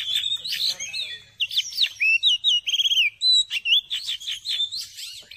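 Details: Caged Oriental magpie-robin singing a rich, varied song of clear whistles, short rising and falling notes and quick trills, phrases following each other almost without pause.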